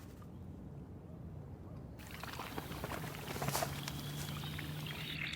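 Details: Quiet outdoor ambience with water sounds and a faint steady hum, with no clear animal calls.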